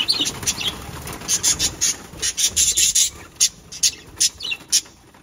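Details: Small parrots chattering: bright, high chirps and short scratchy notes repeated in quick, uneven bursts over a soft background hiss.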